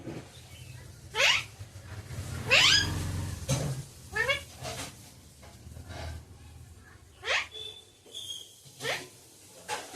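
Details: Talking parrot, kept as a pet and taught words such as mummy and papa, producing several short harmonic, rising and falling voice-like calls with quiet pauses and faint room noise between them.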